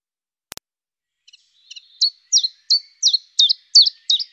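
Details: Common chiffchaff song: after a sharp click and a few faint opening chips, bright, down-slurred notes come in a steady, slightly uneven series of about three per second, growing louder and ringing clearly against silence.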